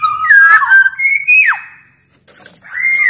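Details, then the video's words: Black-naped oriole song for training caged birds to sing: rich fluty whistles rising and dipping, a sustained clear note sliding down, silence, then another rising whistle. "Burung kepodang gacor SUARA cocok buat PANCINGAN MASTERAN SUARA PIKAT TERAPI podang agar cepat gacor"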